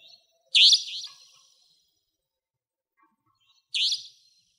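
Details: Savanna Nightjar, a nocturnal, territorial resident of broadleaf woodland, recorded in Pingtung County, Taiwan, in 2014–2015; two loud, harsh, buzzy high notes about three seconds apart, each with a short fading tail, in otherwise quiet surroundings.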